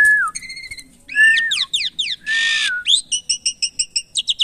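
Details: Caged Asian pied starling being tamed: a brief falling whistle, then rapid steep-sweeping chirps, a harsh rasp that slides into a whistle, and a fast, evenly pulsed string of buzzy notes.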